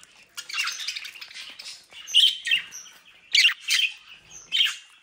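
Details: Mischievous young budgerigars from a home breeding near Den Haag, Netherlands, trading grating squawks and bright chirps, roughly one strong call per second after a softer start.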